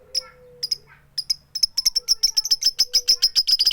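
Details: Female lovebird calling for a male, "tik tik keyok" style without chattering. A few separate high ticks speed up into a steady rapid series of sharp chirps, about three or four each second.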